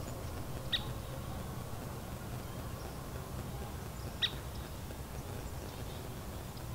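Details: An uncommon visiting scissor-tailed flycatcher at Edwin B. Forsythe National Wildlife Refuge, New Jersey, November 2015, gives two sharp, high 'pik' notes about three and a half seconds apart over a steady low rumble of wind or distant traffic.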